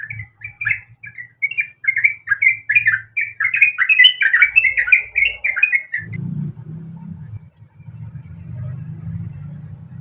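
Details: Female sooty-headed bulbul in heat calling the male: a rapid, uneven stream of short slurred chattering notes for six seconds, then the calls stop and only a low hum remains.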